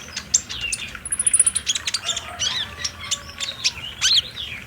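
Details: Sunbird lure for captive olive-backed sunbirds, known as kolibri ninja, played around midday: a busy mix of high chips and a quick trill, with a hissy background.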